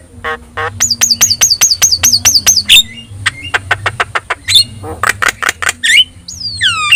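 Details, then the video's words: Yellow-eyed Javan myna in full, lively song, used as a training recording for other songbirds: rapid runs of sharp repeated whistled notes, dry clicks and ticks, then falling slurred whistles, over a steady low electrical hum. "JALAK KEBO GACOR MATA KUNING"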